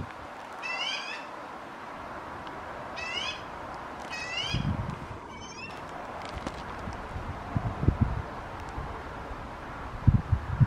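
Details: Magpie chicks preening and watching their surroundings, giving four rasping, nasal calls with stacked harmonics, spaced a second or two apart, followed by low thumps and rustling.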